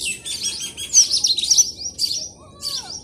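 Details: Several small birds in a village in the morning, giving high, busy chirping and twittering with quick overlapping bursts and a thin whistled note near the end.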